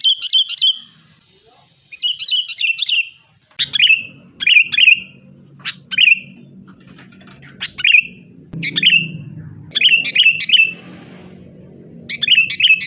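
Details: Sooty-headed bulbul lure song to stir caged birds; irregular clusters of bubbling slurred whistles and lone sharp chips spread over thirteen seconds, with a low rumble of room noise underneath.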